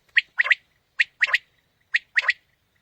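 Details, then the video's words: Clean quail (batair) call for morning hunting: three evenly spaced phrases, each a bright single note followed by a rolling double note, in a quick three-part rhythm under one second apart. "Quail Calling 2020 | Batair Ki Awaz suba ki shikar Ki liye|Saaf Batair Ki Awaz"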